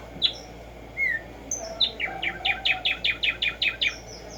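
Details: Tumba yegua or tico tico, the black-striped sparrow, heard in the wild: a few scattered thin whistles, then an accelerating string of sharp, downslurred chips repeated in a steady rhythm.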